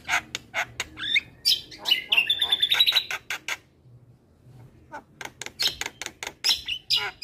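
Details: Active Javan myna song for training young birds. Rapid harsh chatter leads into a steady high whistle, then a quiet gap and renewed scratchy bursts.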